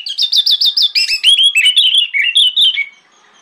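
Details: Morning song of an orange-headed thrush, played to draw replies from other thrushes. It opens with a rapid string of identical rising whistles, then shifts into a varied warbling sequence of sweeping notes before fading out.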